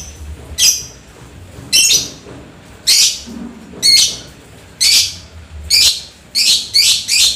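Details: Lovebird in lively song after rain, typing-like chatter toward long shrieks: bursts of shrill, high squeaky chirps repeated about once a second, some doubled, over a quiet background.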